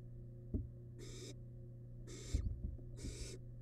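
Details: Barn owl nestling in a wild nest box, eating large rabbit remains; three broad hissing breaths with scratching, knocking movement noises between them and an electrical hum beneath.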